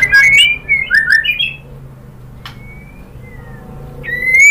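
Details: Female white-rumped shama calling the male: slurred, wavering whistles at the start, a quiet gap with faint thin whistled notes, then a clear rising whistle at the end.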